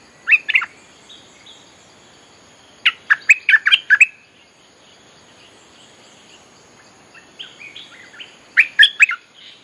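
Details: Bulbul song played as a lure to call wild birds: short bubbly bursts of liquid, chattering notes, one burst at the start, a longer run near three seconds and another near the end, with quiet pauses between.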